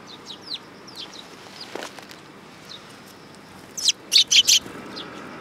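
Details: Sparrow with an injured head tip above the beak, at a Tenmangu shrine in Japan on 20 August 2022: soft, quick, downslurred high chirps, then a loud burst of four harsh chirps close together near the end, over steady hiss.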